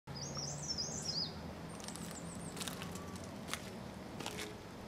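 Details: Female chestnut-bellied rock thrush perched in Landour, India, giving a quick run of high, thin chittering notes, then a few sharp high chips, over a low rural hum and scattered clicks.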